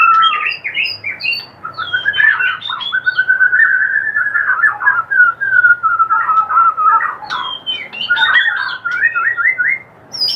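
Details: White-rumped shama kretekan, a call used to provoke other shamas: varied, loud whistled notes and short chattering phrases, rising and falling, delivered in a busy continuous run with brief pauses and a sharp burst near the end.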